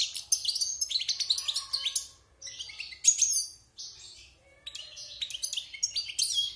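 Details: Caged wild European goldfinch, six months past its moult, sings bursts of tinkling chirps and trills separated by two short silences, the middle phrase opening with a loud sharp note.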